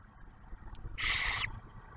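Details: Barn owl at a refuge nest near Oak Harbor, Ohio, during a food delivery by the male to the female and first owlet; one intense half-second rasping hiss, steady and noisy, over quiet background rustle.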